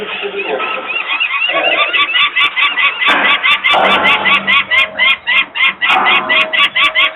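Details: Peregrine falcon parents screaming at a nest in Włocławek, Poland, on 23 May 2022 at 14:51, while workers make noise nearby and the young females stay on the landing. Harsh chevron-shaped cries repeat rapidly, about three per second, with low mechanical hum beneath.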